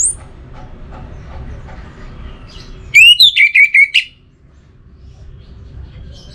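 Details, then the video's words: Orange-headed thrush in captivity delivering one loud burst of about six rapid whistled notes, falling and rising, framed by quiet room noise and faint clicks. "Obat Gacor Burung ANIS MERAH Buat Burung Yang Lagi Malas Bunyi"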